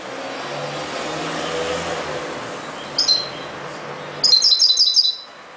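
A European goldfinch gives one short chirp, then a quick run of about seven bright, tinkling high notes, over a steady rumble of traffic.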